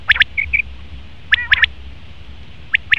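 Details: A male common quail delivers tight three-note bursts of sharp high notes, a pause of over a second between phrases, with a couple of short level whistles early on.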